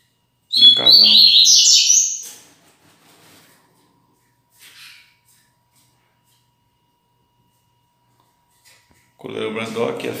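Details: A male Double-collared Seedeater let loose during a free-flight handling routine gives a quick, bright burst of high twittering song lasting about two seconds, then a man's voice is heard.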